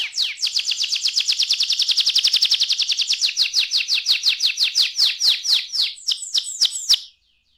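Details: Canary, young bird, delivering a long fast rolling trill of rapid identical chirps, slowing into separate sharp swept notes before stopping abruptly.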